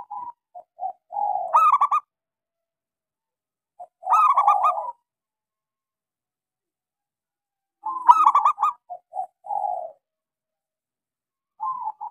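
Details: Local zebra dove, small voice, sung as a lure for silent doves: three phrases about four seconds apart, each with soft lead-in coos, a burst of bright stuttering notes, and a mellow coo after.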